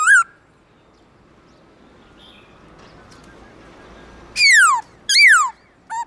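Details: A black-throated laughingthrush's morning "forest voice" song: after a long near-silent pause with faint background hiss, two loud whistles swoop downward, followed by a brief clipped note.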